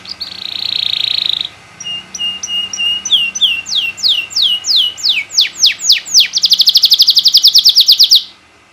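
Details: Canary in loud 'gacor' song as a tutor for other canaries: a buzzy trill, a series of paired whistles turning into about a dozen steep falling slurs, then a fast dense high roll, in a quiet setting.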